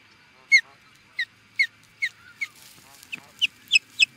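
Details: Osprey in Charlo, Montana, USA, answering an intruder with a string of about nine clipped, high whistled chirps, evenly spaced and then quickening near the end.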